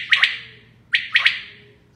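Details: Common quail female, locally called batair, gives two crisp triple-note bursts, one short note followed by a tight pair, spaced under a second apart, with a low steady hum beneath.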